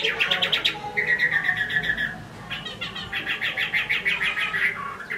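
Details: Caged Chinese hwamei in Hai Phong, Vietnam: rapid stuttering runs of harsh repeated notes, a sustained wavering whistle, then more quick chattering notes, somewhat muffled.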